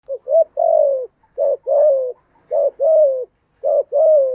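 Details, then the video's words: Spotted dove singing, used to train newly caught doves to sing: clean mellow coos in repeated phrases, each a short rising note, then a long drawn descending coo, about four phrases in quick succession. "tiếng chim gáy dùng tập chim bổi mới hiệu quả/ tiếng gáy kích bổi gáy ngay"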